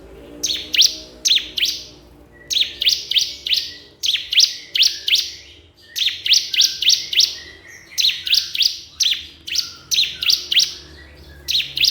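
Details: A crystal prinia calls a rival with a long, steady run of sharp, high chirps grouped in threes and fours, repeated almost without pause.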